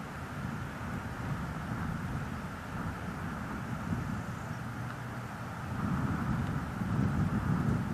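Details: Low, continuous rumble of wind and distant traffic that swells louder toward the end, with no animal calls.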